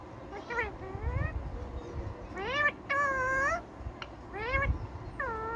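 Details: Indian ringneck parakeet talking in several rising, nasal, word-like phrases, each about half a second long, separated by short gaps, over faint indoor background noise.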